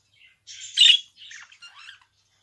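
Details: Budgerigar giving a brief burst of chatter: soft chirps build to one loud, harsh squawk in the middle, followed by a few quieter scratchy warbling notes.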